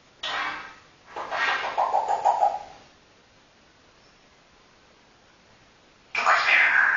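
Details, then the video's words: Pet African grey parrot indoors producing speech-like mimicry: a short raspy word, then a phrase ending in a quick run of rapid pulsed syllables, a long silence, then another harsh voiced burst. "my african grey parrot talking"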